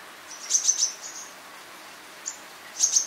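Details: Crimson sunbird (Aethopyga siparaja seheriae) at Dhikuli, India, in November 2023, giving very high, thin, sharp notes: a quick run of three or four, one lone note, then another quick run, in a quiet background.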